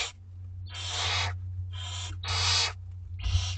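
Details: Two-week-old barn owlets at dinner time in a school garden beg with harsh, snoring hisses, four broad rasping bursts in under four seconds, over a steady low electrical hum.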